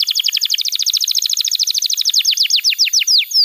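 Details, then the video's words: Canary in strong song for tutoring young birds: a dense torrent of rapid high chirps, which slows into separate downward-slurred notes near the end. "Pancingan Suara Kenari Gacor‼️ Ampuh untuk Masteran Kenari Muda dan Terapi Kenari Macet Bunyi"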